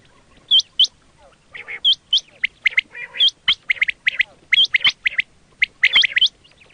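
Quail giving quick, high, sharply upswept chips mixed with buzzier mid-pitched notes, delivered in irregular bursts about once or twice a second.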